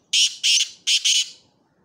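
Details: Black francolin, a pair noted, calling: four loud harsh squawking notes in two pairs, broadband and grating, the second pair following after a short gap, with quiet surroundings.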